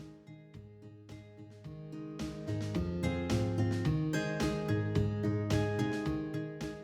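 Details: Plucked guitar music with steady strummed chords and low bass notes, growing slightly louder, with no animal voices present.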